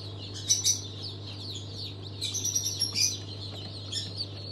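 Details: Newly hatched chicks of several breeds, Legbar among them, hatched 27 March 2023. Bursts of loud, piercing peeps come in clusters between softer chick chatter, over a steady low droning hum.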